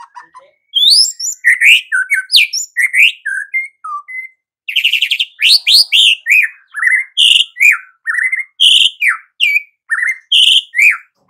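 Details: White-rumped shama singing actively and loudly, a varied stream of rich whistles, slurred rising and falling phrases and buzzy high notes, delivered in short bursts with brief gaps for over ten seconds.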